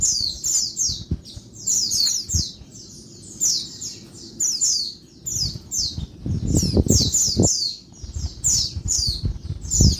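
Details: Noisy calling of a female Oriental white-eye by day, used to rouse lazy males: dense runs of sharp high chirps sliding downward, near continuous for ten seconds, with occasional low knocks and rumble.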